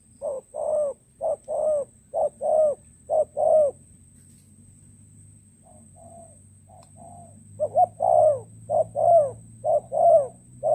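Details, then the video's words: Spotted dove used as a decoy for trapping wild doves in Cà Mau, recorded 21 February 2024: deep, hollow coos in rhythmic phrases of short and drawn-out notes, a quiet stretch with faint distant coos, then the phrases resume. A steady high whine runs throughout. "bẫy chim cu gáy mồi đất cà mau"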